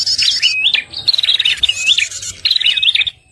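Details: Red-headed prinia trapping lure: a steady run of piercing, rising and falling chirps with buzzy trilled notes, hardly any gaps.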